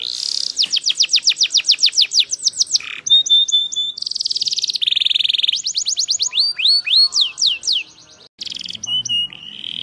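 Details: Singing Yorkshire canary delivering a long varied song: quick rolling trills of sweeping notes, sustained buzzy passages, metallic high chips and looping whistled phrases that change every second or two, with a faint low rumble near the end.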